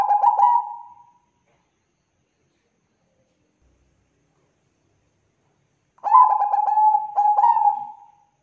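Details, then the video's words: Perkutut Bangkok, a zebra dove, sings a lure phrase used to set other birds singing. A fading coo tail opens the recording, then a long silence, then a fresh phrase of stuttered coos breaking into two drawn-out notes. "PANCINGAN PERKUTUT BANGKOK GACOR"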